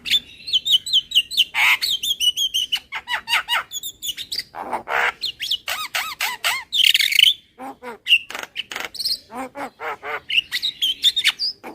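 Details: Lure call of a Javan myna: a dense, chattering stream of rough squawks, clicks and quick twittering notes, with some rasping bursts and short whistled slurs, going on almost without a break.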